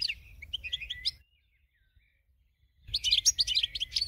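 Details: Winning goldfinch song meant for teaching other birds: a second of bright, jumbled twittering, a pause of over a second, then more quick chattering, tinkling phrases with faint low rumble underneath.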